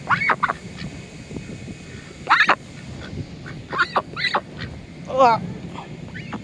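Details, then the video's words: Begging Pekin duck, a female, utters scattered squeaky calls in short clusters, ending in a wavering, trilled squeak, against a low steady background hum. "damg!!!!! that duck sure can squeak!!!!!!!!"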